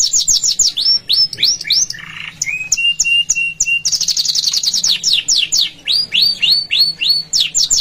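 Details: Canary song meant for home training: rapid runs of upslurred notes high in pitch, repeated several times a second, broken by a steady lower rolling trill, then more quick chirping phrases.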